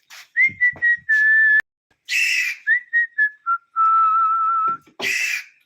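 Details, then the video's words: Caged talking pet parrot giving a string of clear whistled notes, some slurred and one long level whistle, alternating with a person's voice coaxing it to come. "কথা বলা টিয়া পাখি || আমাদের মিঠু কিভাবে কথা বলে দেখুন"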